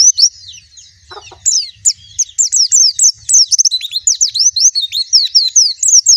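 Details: Lively white-eye song, high and sweet, a long stream of quick looping whistles and chirps that grows denser and louder over six seconds.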